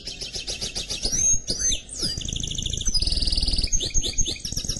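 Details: Mule canary-goldfinch song of varied twittering, upward and downward slides, and a long fast mechanical trill near the end, with low background noise.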